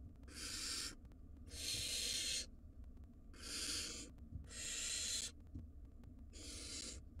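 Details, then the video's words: Five noisy wild barn owl chicks in a nest box beg from their parents with rough hissing screeches, each under a second, coming in a loose series of five bursts over seven seconds. "Chirping Chaos: 5 Noisy Barn Owl Nestlings Keep Their Parents on Their Toes"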